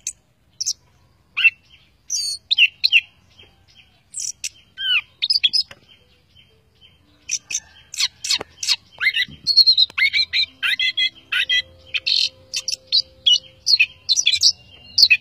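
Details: Orange-headed thrush, a vigorous full song from a bird trained as a tutor for other songbirds: varied whistled and chattering phrases, bright trills and rapid notes, growing denser and near-continuous in the second half.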